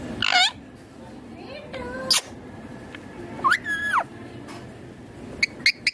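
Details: Eating green ringneck parrot gives a harsh screech, soft wavy mutters, a rising-then-falling talking phrase and several sharp short high notes near the end.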